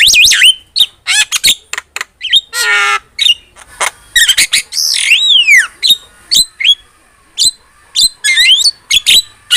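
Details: Lively Javan myna song played as a tutor for other birds: rapid harsh rasps, clicks and squeaky whistles, one long buzzy harsh note and a descending swoop, packed into a fast, varied stream.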